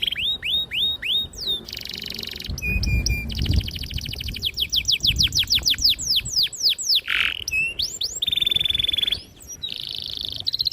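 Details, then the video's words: Canary singing a long, sharp, clear song with extended rolls, used to train young canaries: sweeping whistled notes, stuttered clicks, bursts of fast trills, a slurred dip, then more buzzy rolling phrases in quick succession. "PANCINGAN KENARI GACOR PANJANG || PANCINGAN KENARI PAUD BELAJAR BUNYI"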